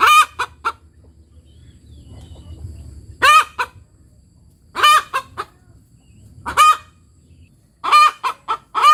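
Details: Village chicken hen (ayam kampung) cackling after laying an egg: short clucking 'tok tok' notes and drawn-out, loud nasal 'petok' cries in bursts about every one and a half seconds, with a low rumble underneath.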